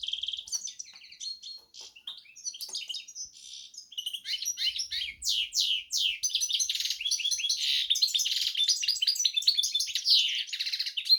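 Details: Long, lively song of a goldfinch x canary hybrid: starting with sparse high chirps, building into a dense, fast twittering and warbling stream.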